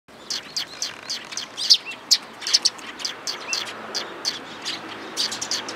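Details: Sparrows in Japan gathering to be fed, recorded 11 April 2022 on the way out, giving many short, high, sharp chirps in an irregular flurry of overlapping calls against a soft background hiss.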